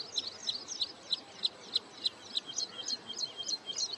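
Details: Wood sandpiper on wintering grounds at Hoskote Lake, Bangalore outskirts, Karnataka, near return migration, repeating a clear sharp single note roughly every third of a second, evenly spaced, with light high twittering behind.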